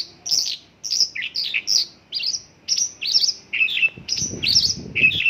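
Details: Mongolian lark singing a song filled with local bird phrases: a steady run of short, high chirped and slurred notes, some sweeping down, with a brief burst of low rumbling noise near the end.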